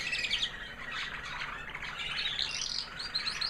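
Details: Female American Singer canary after the molt, a white hen singing: blurred high chattering and twittering, with notes less distinct and a few clear whistles near the end.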